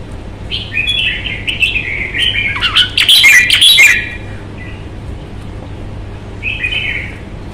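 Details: Red-whiskered bulbul kept as a hobby songbird in Vietnam, showing posture and fighting temperament, gives quick warbled phrases of short bright notes, then a loud, dense, harsh burst with broadband rattling about midway, and a brief closing phrase.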